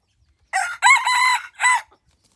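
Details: Full crow from a pradu-coloured decoy rooster, Roi Et, Thailand: a rising opening note, a strong held middle section and a falling closing note, followed by silence.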